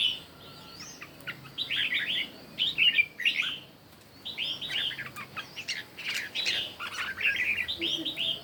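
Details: Red-whiskered bulbul, morning competition singing: clusters of bright warbled phrases with a silent gap mid-way, punctuated by sharp clicks and fluttering sounds.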